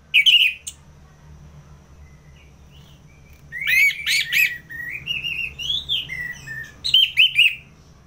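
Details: Orange-headed thrush, a captive bird kept for song contests in North Bali, giving open ngeplong song meant as a lure for fighter birds: a short whistle, a quiet gap, then varied warbled and slurred phrases with sharp accents.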